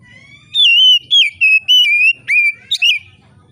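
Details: Steady, open-voiced song of an oriental magpie-robin, said to draw other magpie-robins into song: a continuous run of about eight loud whistled notes, mostly level or gently falling, over a faint low background rumble.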